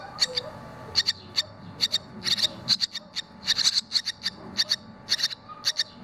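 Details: Barn swallow chicks at fledging time, two already out of the nest: steady stream of short, high, clicky chirps, often doubled or tripled, several per second throughout.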